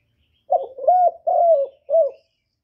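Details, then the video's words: Single close phrase from a spotted dove: a stuttering opening, two long level coos, then a short clipped final coo. The background is silent. "cu cườm gáy gọi"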